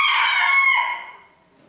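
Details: Contest rooster at Villers-la-Ville in 2022, the year's first event: the closing part of a loud harmonic crow, held steady and then trailing off into quiet.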